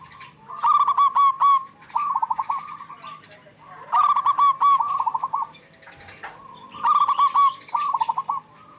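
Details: Local zebra doves cooing back and forth, used as a lure for stressed or silent doves; three stuttering cooed phrases of quick clipped notes followed by a rolling trill, each phrase several seconds apart, with a sharp click near the end.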